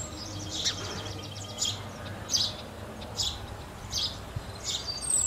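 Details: House sparrow chirping outdoors, short bright chirps repeated roughly once a second over a steady low hum of background noise.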